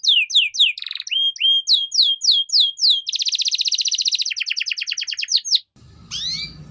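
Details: Canary song, loud and high: repeated swooping whistled notes about four a second, then a rapid dense trill and a slowing rattling roll, ending with a short pause and a faint whistle over low background hum.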